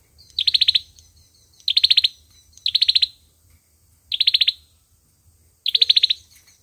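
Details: Olive-backed sunbird fighting song, five evenly spaced bursts of rapid, sharp, high notes, each burst about half a second long, over a quiet low hum.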